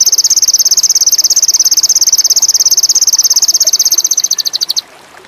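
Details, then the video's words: Sogon, described as indigo and in high mating urge, used as a lure to prompt other birds to sing: a rapid, even, very high pulsed trill of about nine notes per second, lasting nearly five seconds, then stopping abruptly. "PANCINGAN SOGON INDIGO"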